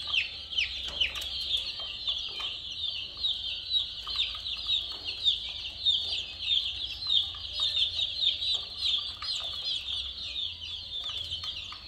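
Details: Many colourful chicks chirping nonstop: a dense chorus of high, thin peeps overlapping without pause, over a faint low hum.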